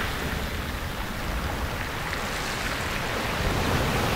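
Steady, heavy rain hiss with low rumbling throughout; no animal calls can be picked out.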